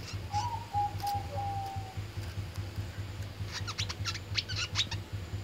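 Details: Oriental white-eye kept as a fighting (tarung) bird: a low flat whistle first, then a rapid flurry of high, piercing chirps and trills, with a low background hum.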